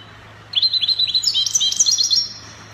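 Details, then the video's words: Moroccan recording of a European goldfinch singing copia, Spanish style: an unbroken run of quick, bright twittering notes climbing higher and growing busier for nearly two seconds, with a faint low hum beneath. "Chardonneret copia Morocco من أجمل تغريد الطائر الحسون تغريد كوبيا إسباني"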